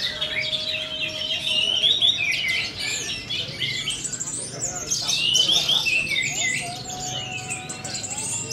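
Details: Orange-headed thrush singing nonstop in teler style while being prepared for a songbird contest: quick bright whistled phrases mixed with scratchy twitters, pouring out in an unbroken stream over a low steady hum.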